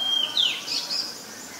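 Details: Oriental magpie-robin, a very common resident, recorded 18 April 2022 in Ubon Ratchathani, Thailand, on a Nikon P1000: a few brief clear whistled notes, sliding up and down, over faint hiss.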